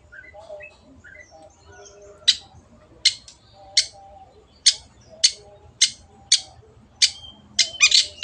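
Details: Long-tailed shrike in an energetic tutor recording for training other shrikes. Sharp, harsh, broadband notes come singly and then in quicker pairs about every half second, over faint low twittering in the background.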